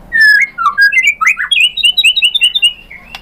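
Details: White-rumped shama singing as a lure meant to rouse a rival bird to reply: a quick string of bright whistled phrases and squawky slurs, rising toward higher clipped notes that repeat steadily.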